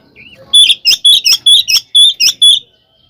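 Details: Oriental magpie-robin in a fighting song of the ngeplong ngekek style, used as a lure to provoke other magpie-robins: a faint opening note, then eight loud clipped whistled bursts with sharp overtones, spaced about a quarter second apart.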